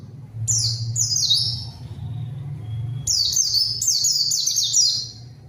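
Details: White-eye singing hard as a lure to provoke a rival's reply: two clusters of quick, high, falling whistled phrases separated by a short lull, with a low steady hum underneath.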